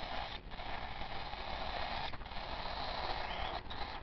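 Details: Steady broadband creaking and rumbling, like machinery running, with brief dips at about half a second, two seconds and three and a half seconds; no animal voice stands out.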